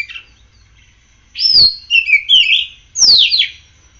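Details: Oriental magpie-robin in full song after morning sunning and dew: loud downslurred whistles and warbled rising-falling notes in quick phrases, ending with a strong sweeping whistle, over low background hum.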